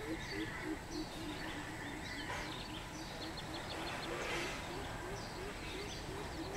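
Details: Greater coucal on 13 June 2020 delivering a rapid string of low hollow hoots, slightly faster early then fading, while other birds chirp higher and rural background noise continues.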